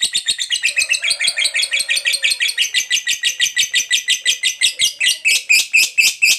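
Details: Fighter lovebird chattering in long ngekek style to provoke rivals: a steady string of sharp, shrill, buzzy notes, about two to three per second, continuing throughout, with faint low rustling.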